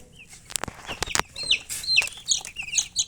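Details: Chicken chicks peeping: short, high, downward-sliding chirps scattered through the second half, mixed with sharp clicks and taps early on.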